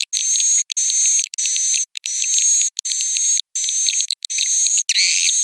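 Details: Swiftlet roosting call: dense, high twittering chirps over a steady thin whine, in bursts about half a second to a second long, broken by brief silences.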